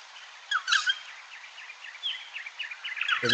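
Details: A Regent Honeyeater that has learned to sing like a Noisy Friarbird gives a scratchy, chattering run of squeaky notes; a human voice starts at the very end.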